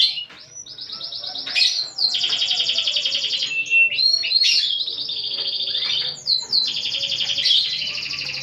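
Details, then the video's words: Canary singing gacor, an active sustained song, in a unique cengkok (song phrasing): long rapid rattling trills at high pitch, broken by quick sweeping slurs, then a second long trill, loud and continuous throughout. "Burung Kenari Gacor Cengkok Unik"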